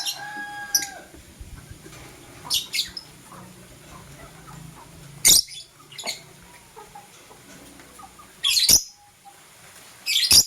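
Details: Morning chirping from blue and green lovebirds, with sharp, shrill, high chirps in isolated bursts several seconds apart, including a double burst near the end, over quiet background chatter.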